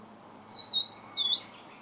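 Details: Blue-and-white flycatcher recorded on 30 May 2014: one short, clear whistled phrase of four sliding notes, rising and then falling, with quiet background hiss.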